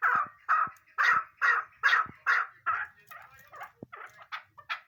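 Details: Female chukar partridge calling, in a hunting setting; loud, evenly spaced chuk notes about two per second, then quieter, quicker, higher-pitched notes trailing off at the end.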